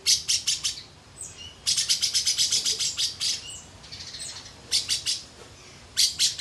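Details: Lovebird song in "isian katem" style: bursts of rapid, sharp, high-pitched chirps strung into quick rattling runs, broken by gaps and a few thin higher whistles.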